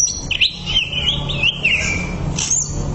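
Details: Greater green leafbird song used for training: a single fluid warbling phrase of looping whistled notes, then a brief high chirp, with low hum behind.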